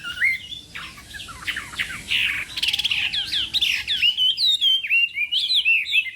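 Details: Chinese hwamei practising its contest song in the morning. It opens with softer slurred notes, then shifts into loud, rapid, repeated whistled upsweeps and ringing phrases.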